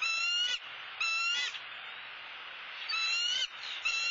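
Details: Bald eagles calling at their Southwest Florida nest on a live camera while the male brings in a soft-shelled turtle; two half-second shrill whistled notes, a gap of hiss, then two more.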